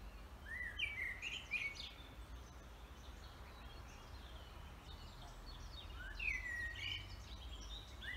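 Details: Birdsong in a forest: scattered whistled and rising chirps in short bursts near the start and again later, over a steady low rumble of background noise.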